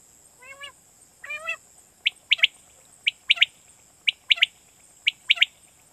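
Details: Quail lure call for night hunting in Pakistan. Two rising, buzzy, harmonic chirps open the clip. Then come bright triple-note bursts repeated about once a second over faint steady hiss.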